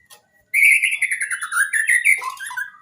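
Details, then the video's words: White-rumped shama song for training quiet birds: after a short pause, one long continuous warbling phrase of quick wavering notes, sliding gradually downward then rising again, with a thin high ringing line above. "Masteran murai gacor full isian bongkar materi mewah!!! Cocok untuk murai malas bunyi"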